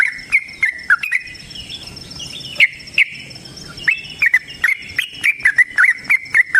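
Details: Sooty-headed bulbul's long rapid fighting song, a steady stream of short chirping, slurred notes. Brief sharp clicks punctuate the phrases, and they grow denser toward the end.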